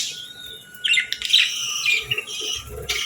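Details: Real budgerigars, including a female, chirping gently on a calm morning while feeding and bathing; scattered bright chirps and squawky notes come in bursts over a steady high tone, with faint low thumps.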